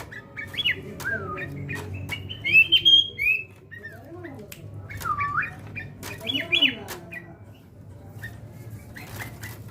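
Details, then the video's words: Sooty-headed bulbul in fight-mentality training, giving loud liquid whistled phrases with rising and falling slurred notes in several bursts, sharp clicks between phrases and a soft low hum beneath. "Burung Kutilang mental tarung"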